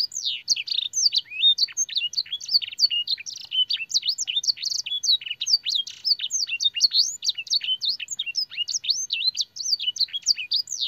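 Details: Canary master song containing blackthroat and sanger phrases for training: an intense, unbroken chatter of high, fast chirps and descending whistles, densely packed and energetic from start to end.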